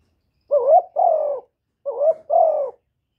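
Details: Spotted dove from a bird-keeping recording of calling, urging and cooing: two loud cooing phrases, each a short wavering coo followed by a longer level hooting note, separated by about a second of silence.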